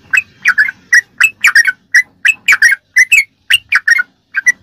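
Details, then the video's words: Sooty-headed bulbul song for training caged birds, 'ropelan' style: lively, bubbly whistled phrases, many with a bright upward twist, tightly repeated throughout, over a quiet background. "ROPELAN BURUNG TRUCUK TERBAIK||PASS BUAT ISIAN¦¦MASTERAN TRUCUK"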